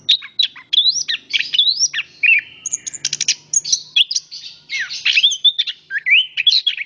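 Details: Lively, continuous song of an orange-headed thrush: rising and falling whistles, quick trills and a rattling burst midway, notes tumbling one after another without long gaps.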